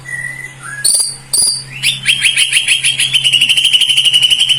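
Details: White-rumped shama gives a few plain whistles and sharp clicks, then a long rapid buzzy trill of repeated notes that continues steadily to the end.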